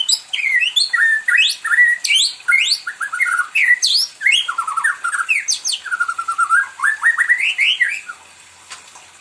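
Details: Pet white-rumped shama singing indoors as if wanting company: a rich, varied run of loud whistled phrases, sweeping up and down, fast trills and chattering notes tumbling without pause, fading at the end.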